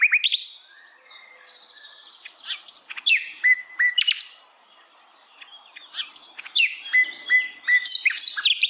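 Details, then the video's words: Varied forest song of a sikatan londo flycatcher living wild: loud bursts of sharp, downslurred chirps and whistles, a pause of near silence midway, then more rapid, ringing phrases with repeated clear notes. "kicauan Sikatan Londo Dialam Hutan Liar"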